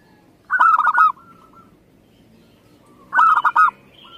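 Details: Two phrases of staccato cooing from a local zebra dove, each a tight string of short notes closing on a sustained tone, one voice sounding buzzy and ringing, with a short pause between.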